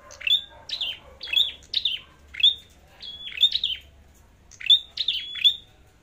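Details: Flowerpecker with a red head giving combative contest song before a forest outing: rapid series of piercing, falling chips, each trailing into a short steady high whistle, about a dozen notes in quick succession.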